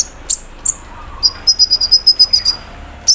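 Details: ["A few piercing chips, then a rapid mechanical 'cerrr' trill of about a dozen even pulses, from a kept olive-backed sunbird singing 'mesin bordir' filler while aired in the morning dew."]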